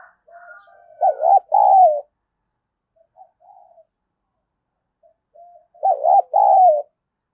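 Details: Spotted dove decoy, 'thúc dấu' cooing meant to pull in wild doves: two strong phrases about five seconds apart, each a fast paired note and a longer sliding coo, soft murmurs in between.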